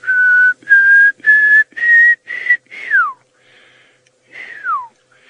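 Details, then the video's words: Pearl-spotted Owlet calling in the distance at sunset in Djuma Game Reserve, Sabi Sand, South Africa, May: a run of six clear rising whistles, then long steeply down-slurred whistles, over a faint hum. "can hear a little pearl-spotted owlet calling in the distance."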